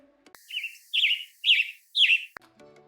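Western tanager giving four short, husky, burry phrases about half a second apart, each slightly higher and richer than the last; faint background tones at the end.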